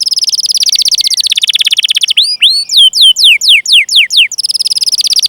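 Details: Canary trilling song for training young and silent canaries: a dense fast trill, a stretch of separate curving whistled chirps about three per second, then the rapid trill returns.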